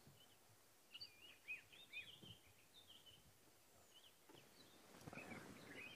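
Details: A Dark-capped (black-eyed) Bulbul on a July 26 sunrise safari drive gives short, bright, whistled chirps in quick irregular bursts over a steady background hiss, with a rustling noise near the end.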